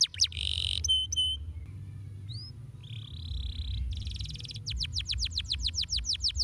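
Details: Domestic canary mixing a harsh buzzy burst, short pure whistles, a soft rising note and a level buzz, before a rapid run of falling whistled syllables.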